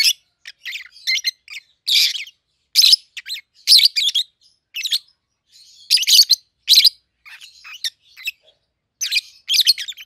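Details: Two young captive peach-faced lovebirds, aged 7-8 months, colour mutations red-headed green opaline and red-faced dark green, calling in repeated bursts of harsh, high chattering chirps separated by short pauses.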